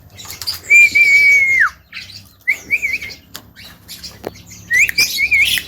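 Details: Javan myna giving a long, level, high whistle that drops away at its end, then broken trilled whistles, a few dry clicks and a final rising, warbled whistle.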